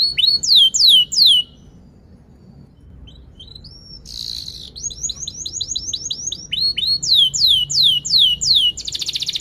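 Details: Canary song with loud repeated downward-swept whistles, a pause with scattered rising chirps, a short buzzy burst, then fast runs of slurred notes and a rattling trill at the end. Meant to encourage young or silent canaries to sing.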